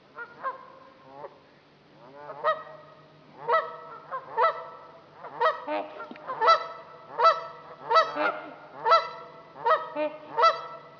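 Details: Trumpeter swans on Dixon Lake, Itasca County, Minnesota, in a building chorus of bugling honks, sparse at first and then steady and rapid, several birds calling together, over a low steady hum.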